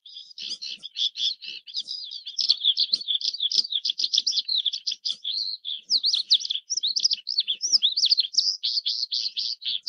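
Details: Oriental skylark (Alauda gulgula) pouring out continuous high, rapid warbling: tumbling chirps, short slurred whistles and trills run together without pause, varied and lively throughout.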